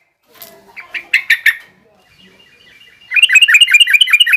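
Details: Yellow-vented bulbul, garuda and rough ngriwik song styles for young birds learning to sing: a few scattered scratchy notes, then a loud fast trill of repeated chirps.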